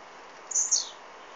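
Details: Song of a blue-black grassquit captured on an Android phone: a quick, shrill buzz followed by a descending slurred tail, lasting under half a second, with low background noise.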